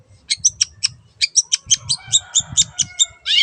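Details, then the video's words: Long-tailed shrike singing: a series of sharp high notes roughly every fifth of a second, with a low rumbling hum underneath and a harsh buzzy burst at the close. "BURUNG CENDET GACOR YANG BISU JADI BUKA SUARA DAN IKUT BUNYI"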